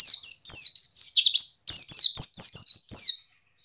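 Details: Wild-type white-eye song used to get birds to start singing: rapid series of high, sweet, descending slurred whistles in quick bursts, brief pause midway, over a faint steady high whine.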